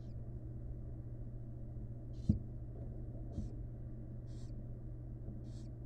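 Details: Wild barn owl in a monitored nest box, with the first nestling newly hatched: short breathy hiss-like bursts repeat about once a second over a steady low hum from the camera box.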